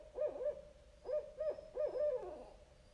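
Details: Barred owl hooting in the woods: a run of mid-pitched hoots with wavering, rising-and-falling inflections, four quick notes over about three seconds, with faint background hiss.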